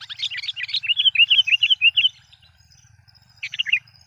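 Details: A Sooty-headed Bulbul lure call meant to provoke wild bulbuls: a quick run of about a dozen bright, bubbly chirps over two seconds, then a short burst of three more notes after a pause.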